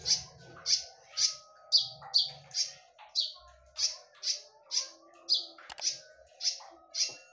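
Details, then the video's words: Lure song of a konin in full 'tembakan' style: piercing, high, clipped notes repeated roughly twice a second, sharp and ringing, with faint low rumbles in the background. "KONIN GACOR FULL TEMBAKAN / SUARA TAJAM DAN NYARING / BERANI DENGARKAN SUARA PANCINGAN KONIN INI??"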